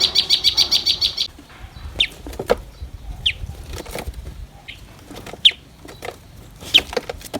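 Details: Common tailorbird chicks fed by a parent bringing caterpillars: a rapid burst of high, sharp chirps repeated several times a second, then scattered single high chips among clicks and rustling.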